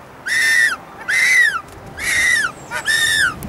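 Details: African penguins at a hillside nesting colony of hundreds near Cape Point, many in man-made burrows; four drawn-out nasal braying notes, each arching up then falling, about half a second long, with short gaps between.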